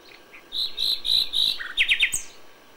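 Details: Nightingale in May at dawn: three long, steady high whistles, then a low stuttering bit and three quick downward-sweeping notes, ending with a thin high flick.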